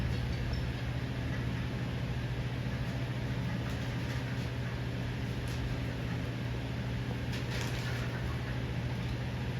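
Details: A steady low mechanical hum, like a fan or idling engine, continues throughout with faint broadband hiss and a few soft clicks; no animal voice is heard.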